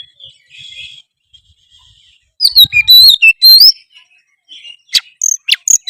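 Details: Oriental magpie-robin in loud, active song: a soft whistled warble at first, then a dense burst of sharp chirps and sweeping high whistles, followed by scattered piercing notes.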